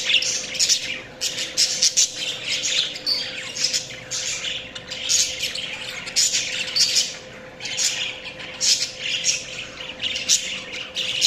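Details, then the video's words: Budgies chirping at length in a lively, scratchy chorus. Loud squawky bursts repeat about every second with brief pauses between, over a faint hum. "Budgies Chirping sounds"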